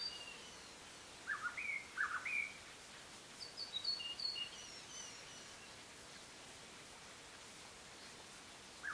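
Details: White-rumped shama (Copsychus malabaricus), song.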